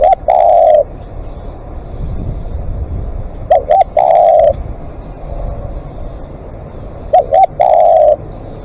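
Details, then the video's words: Spotted dove cooing repeatedly, with two quick soft notes leading into a long, low, sustained coo. Phrases come roughly every three and a half seconds over a constant low rumble. "เสียงนกเขาใหญ่ ต่อสดเรียกยาวๆ"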